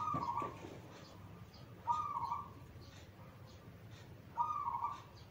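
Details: Zebra dove cooing, used as a master song for training young doves: three soft rolling low phrases, each a brief tremulous coo, spaced about two seconds apart, with a noisy hissing background and faint sharp taps.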